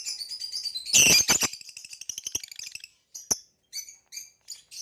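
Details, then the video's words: Green hybrid male lovebird and Nyasa lovebird in captivity: a loud dense chattering burst with whistled overtones, then a pause and a row of short, high, evenly spaced squeaky chirps. "Green Hybrid and Lilianae Nyasa Lovebird Singing & Chirping Sounds"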